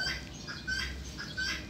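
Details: A turkey gives short, squeaky high notes about every 0.7 seconds over a rough, rumbling background.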